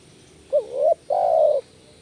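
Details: Spotted dove coo used as a lure for other doves: a quick upslurred note leading into a rising coo, a short pause, then one long steady falling coo.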